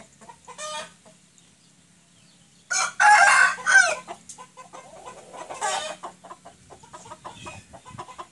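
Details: Rooster of a white 'sweater' type without a comb crowing: a short high note, then a loud harsh drawn-out crow of about a second, followed by a fainter call and scattered clucking and background noise.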